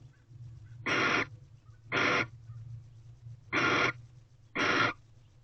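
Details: Barn owls bonding as a pair in an owl box on February 26, 2023, at 5:03 pm: four harsh, hissing screeches about a third of a second each, spaced roughly one to one and a half seconds apart, faint soft sounds between.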